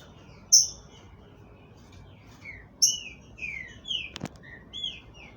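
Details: Green-winged saltator kept by a breeder in Brazil sings a run of loud, slurred whistles. The notes swoop up and down in quick succession, with a sharp click partway through.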